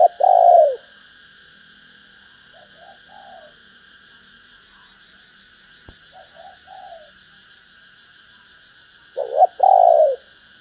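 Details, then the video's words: Female spotted dove cooing to stir males: a loud low coo at the start, fainter far-off double coos in the middle, and another stuttered two-part coo near the end, with a continuous high droning buzz throughout. "Tiếng cu mái kích trống hiệu quả"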